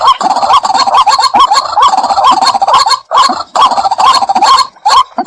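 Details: White-breasted waterhen calling in a dense, continuous stream of harsh, croaking notes around a rising middle tone, overlapping and repeated rapidly, with a few short breaks.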